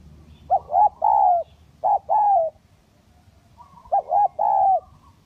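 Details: Lure recording of spotted dove, kacuk and kampung types: a cooing phrase of a short double note and a longer sliding coo, given three times with a pause before the last.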